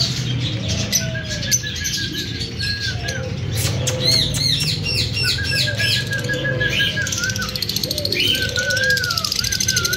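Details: Lovebirds, a breeding pair, give bursts of quick arched high chirps between drawn-out trilled notes and lower slurred calls, over a continuous low background hum.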